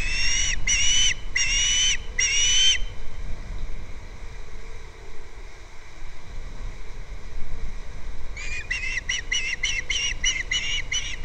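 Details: Osprey calling at a nest on Captiva, nest camera, February 2nd: four loud whistled chirps open, a long quiet pause with faint rumble follows, then a fast, evenly spaced run of sharp chirps closes.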